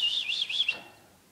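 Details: Pet budgerigar, described by its owner as an attention seeker, giving a rapid warbling chirp of high wavering notes for under a second before fading; quiet room.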